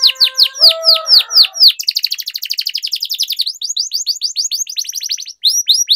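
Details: Canary singing a long rolling song for training silent or young canaries. Loud sweeping high notes with a low warble give way to a fast, even trill of rapid repeated notes, then more sweeping notes.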